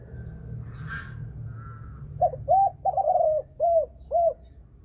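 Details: Thai-strain spotted dove, a female singing in the prized 'thunder-voice' (thổ sấm) style with two clear ending notes, used in bird training: a distant crowing note first, then five low rounded coos in quick succession.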